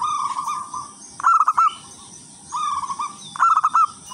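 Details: Local zebra dove from the wild singing a lure song for others of its kind, alternating soft purring trills with sharper stuttered coos, each pair lasting about two seconds.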